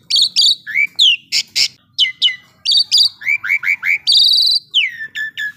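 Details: Asian pied starling singing loudly and steadily, about four notes a second: sharp descending whistled slurs, buzzy harsh notes, a short run of rising chirps and a longer drawn whistle, recorded close in quiet surroundings.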